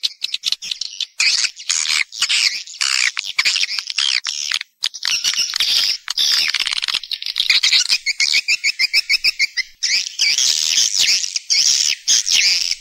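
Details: Swiftlet calls for calling and roosting, recorded in stereo: long runs of shrill, buzzy twittering broken by brief gaps, with one stretch of quick, evenly spaced chirps in the middle.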